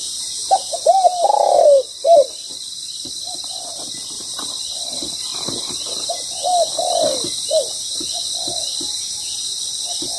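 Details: Spotted dove cooing during trapping with a ground decoy; a loud run of mellow coos opens, then quieter coo phrases return midway, scattered clicks and a steady high-pitched hiss in the background.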